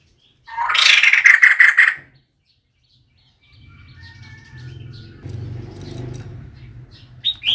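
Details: Harsh, raspy chattering from a female White-crested laughingthrush, used as a decoy call, lasting about a second and a half. It is followed by a faint low rumble and scattered soft notes.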